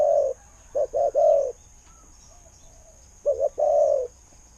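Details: Spotted dove used as a decoy bird, praised for its fine 'khu-ang' style voice and good luring. A low cooing: one long coo, then two short coos and a long drawn coo, repeated once with the same pattern.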